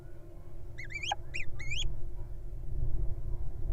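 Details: Three quick rising squeaks from little owl nestlings in a wild nest box, heard close together near the start, then only a steady low rumbling hum.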